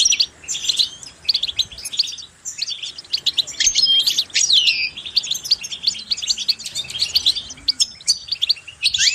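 A goldfinch sings a fast, tinkling run of twittering notes and liquid trills, high-pitched and nearly continuous, with only brief pauses.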